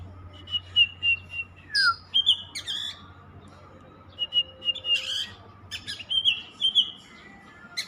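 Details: Oriental magpie-robin (kacer) that keeps singing without stopping, giving sliding whistles, a falling note, and scratchy chip clusters separated by short pauses over a low background hum.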